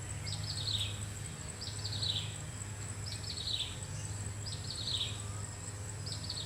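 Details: A common flameback woodpecker searching for food gives short, high, dry rattling trills that fall in pitch, repeated about every second and a half over a steady low rumble.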